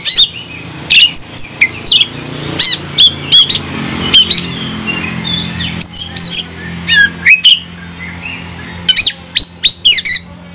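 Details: Oriental magpie-robin provoked into agitated singing, full of varied material: piercing whistles, quick slurred sweeps and harsh notes in close-set bursts, with brief pauses between groups and a faint low hum underneath.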